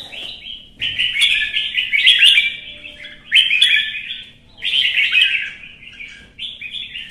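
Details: Competitive fighting song by a red-whiskered bulbul: four loud, rich, rolling warbled phrases, each about a second long, separated by short gaps, over a quiet background.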